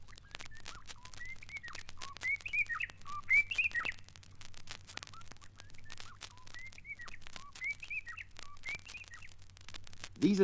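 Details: White-browed robin-chat in East Africa sings bubbling, whistled phrases that rise and fall, repeated about every second, over steady crackling clicks and a low hum.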